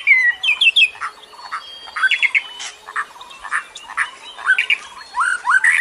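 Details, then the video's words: White-rumped shama recorded in the wild forest, used as a lure and therapy for shamas that rarely sing or are still learning, pours out a fast, varied song of clear whistles, slurred rising notes and harsh chattering squawks, barely pausing. "Pancingan dan Terapi Mural batu"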